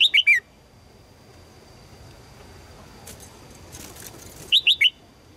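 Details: A female red-whiskered bulbul calls for a strong male in short three-note chirping bursts at the start and the end, with a brief patch of rustling noise between them.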